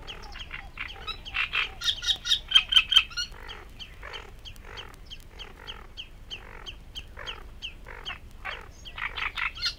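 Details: Great Reed Warbler singing in the reed beds of Matsalu, USSR, in a 1979 field recording. Loud, grating croaks come in quick repeated runs, with a shrill, rising phrase early on, then steady chuntering notes.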